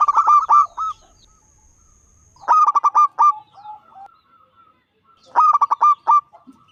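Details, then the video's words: Loud-voiced local zebra dove, five years old, singing to draw other doves into song; three separate phrases of rapid, bubbling cooing notes, each about a second long, spaced a few seconds apart. "Perkutut lokal gacor suara besar"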